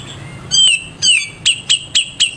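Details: Grey-cheeked bulbul (cucak jenggot) kept as a master bird. It gives two clear, downslurred whistles, then four short, sharp, evenly spaced chips about a quarter second apart.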